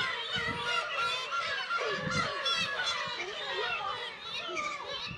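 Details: Black-tailed gulls at a breeding colony of about 30,000 birds on Kabushima, Hachinohe, Aomori, Japan, in early summer, 10 June, with chicks present; a dense chorus of overlapping mewing, cat-like wails and honking calls, with faint low thumps beneath.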